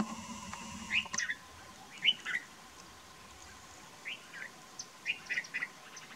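Common babbler giving short, squeaky chirps around mid-high pitch, singly or in quick pairs every second or so, over a faint steady hum.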